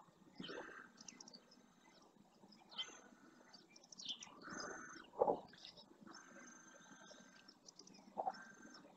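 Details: A male house sparrow resting beside a camera at the El Rocío marsh, Doñana National Park, Almonte, Huelva, Spain, gives harsh buzzy chirps in short bursts about every two seconds, with faint high thin notes from other birds behind.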